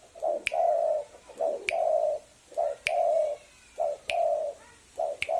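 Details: Spotted dove calling as a lure, repeating a short coo followed by a longer level coo roughly every 1.2 seconds, with sharp clicks between phrases and light background noise.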